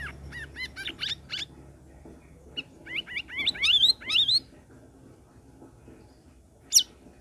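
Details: Sooty-headed bulbul (cucak rawis) song meant to prompt silent cage birds to sing, over a busy bird chorus: quick series of rising chirped notes climbing higher and louder, then a pause and one sharp isolated note.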